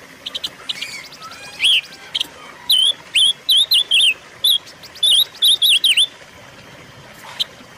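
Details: Silver-eared mesia song used to lure and train caged birds: faint rapid ticking first, then two bright bursts of four or five slurred whistles, each note dipping and rising, with a soft chirp near the end.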